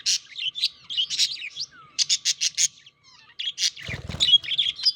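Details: Courting budgerigars chatter in bursts: bubbly warbles, then a run of four or five evenly spaced clicking chirps, a brief pause, more warbling, and a short rustle or flutter.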